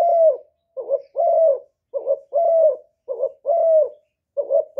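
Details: Spotted dove decoy from Cà Mau, Vietnam, luring wild doves with steady cooing. A short doubled note and a long dropping coo repeat about once a second in a regular rhythm against silence.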